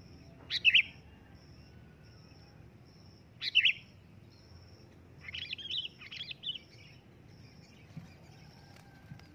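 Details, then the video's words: Calling sooty-headed bulbul giving loud, clear chirps about three seconds apart, then a softer, jumbled warbling phrase of several notes. A dashed, high-pitched steady tone is heard throughout. "suara keras burung kutilang memanggil di jamin langsung nyaut"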